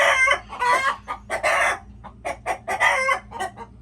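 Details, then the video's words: Chickens squawking loudly and almost without pause, broad raspy calls of varying length alternating with shorter clucks, irregular rhythm. "Chickens making noises"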